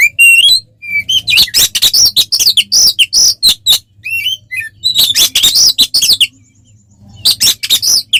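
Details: Oriental magpie-robin singing aggressively in fighting mode to rile rival birds: dense runs of piercing whistles, slurred rising notes and harsh chatters in quick bursts, with short gaps between phrases.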